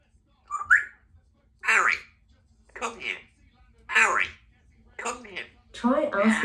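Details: Two-year-old female Congo African grey parrot kept as a pet at home, chatting while her owner gets lunch: six short, voice-like mimicked phrases about a second apart, one starting with a brief rising whistle, in a quiet room.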